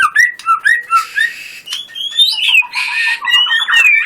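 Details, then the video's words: White-rumped shama singing vigorously with many bursts, a competition-style songbird: varied whistled slurs and rising notes around mid-high pitch, broken by two harsh buzzy bursts, then a quick run of descending chips and a long falling whistle. "Murai batu gacor full tembakan"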